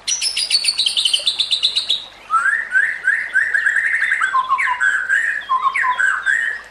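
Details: White-rumped shama song used as a master recording to train other shamas. A rapid string of about sixteen high, even notes opens, followed by fluid, lower whistled warbling phrases.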